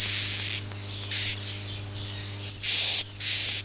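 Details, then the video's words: Swiftlet, "Akau ngaji" type: hissing buzz-notes with a high whistle, some rising at the start, five bursts with softer, longer stretches between them. "suara walet Akau ngaji Original"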